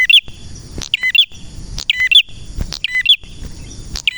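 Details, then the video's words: Crisp, rapid double and triple chips from a male red prinia, bursts arriving about every second, each followed by a brief pause, with a soft steady high tone behind. "Prenjak Merah Gacor cocok untuk masteran dan pancingan prenjak bahan ‼️prenjak birds singing ‼️"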